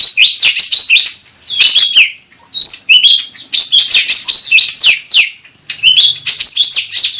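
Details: Cucak rante bulbul singing as a lure and therapy sound: fast, loud runs of high, slurred chirping notes in tight clusters, with brief pauses between phrases.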